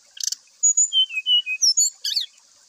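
White-rumped shama: a quick chirp, then a fast run of clear, high whistled notes sliding downward, ending in a burst of buzzy, jumbled notes.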